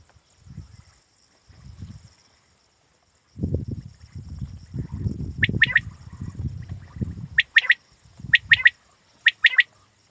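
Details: Quail voice for hunting: after several seconds of low rumbling handling noise, crisp high double and triple notes start and repeat about once a second.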